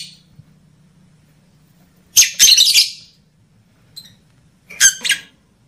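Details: Lovebird calls meant to stimulate mating desire in males and females: after near silence with a low hum, a rapid cluster of harsh high squawks, a brief chirp, then a shorter squawking burst.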